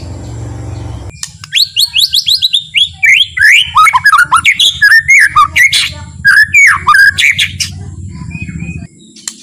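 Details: White-rumped shama with a calm, slow song meant to stir other shamas to sing: descending series of high sweeping whistles, then rapid varied slurred notes and sharp chips for about eight seconds, low hum throughout.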